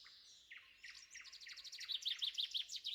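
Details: Spring woodland dawn at Spivaki, shrike giving morning calls amid a nightingale and many birds; a thin descending series of high notes builds into loud, quick zigzag chirps near the end, recorded with a pair of AKG C414B XLS microphones.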